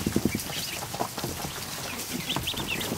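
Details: Newly hatched ducklings, more than a hundred of them, in a barn kiddie pool on an afternoon; a few low knocks open, then clear high peeping notes, some looped and wavering, cluster near the end.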